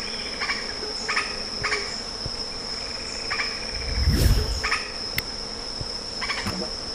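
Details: Lettered aracari uttering quick, buzzy clipped notes in irregular succession, with a continuous insect whine and a low thump midway.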